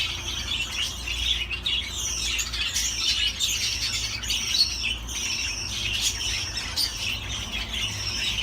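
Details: Budgerigars warble steadily with sharp chirps and rasping squawks mixed into a continuous high chatter over a constant low hum.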